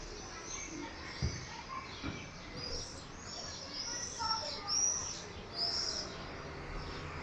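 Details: Screaming party of common swifts: thin, piercing screams start faint, then louder passing bursts come near four, five and six seconds, with a few soft lower chirps and light thumps.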